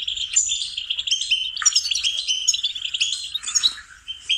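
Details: Melodious goldfinch song for cultivating songbird melodies, a busy stream of high chirps, a dipping buzzy note near the middle, then more tinkling trills.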